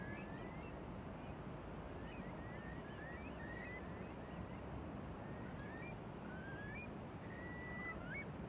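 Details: On Beadnell Bay, Northumberland, on 21 December 2018, several Eurasian curlews give short, rising whistled calls, overlapping and repeated throughout, over a steady roar of surf and wind.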